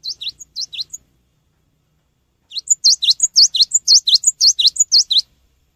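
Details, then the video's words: Cinereous tit song used as a lure for other birds: rapid bursts of sharp, high, downslurred notes, a short phrase, a pause, then a longer run of about a dozen notes. "SUARA BURUNG GELATIK BATU GACOR"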